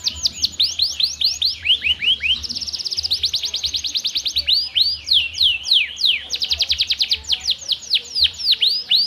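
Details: Energetic canary song meant to stimulate canaries that seldom sing: fast slurred whistles give way to a long rapid buzzing roll, followed by more swooping notes and another quick trill.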